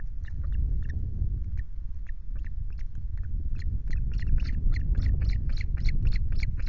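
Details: Ospreys at a nest with chicks at Loch Garten on 5 July, picked up by a nest camera: short, sharp chirps start sparsely, then run fast and steady toward the end, above constant low wind rumble.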